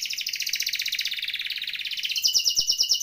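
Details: Canary (kenari) rolling song from a masteran recording for training songbirds: a continuous fast high trill gliding slightly downward, then a switch to sharper repeated chip notes.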